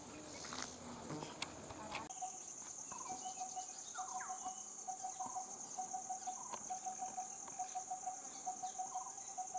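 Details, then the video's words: Coppersmith barbet giving a steady series of low, hollow, evenly spaced notes, about two each second, over a constant high insect drone, with scattered noise in the first two seconds. "Coppersmith barbet"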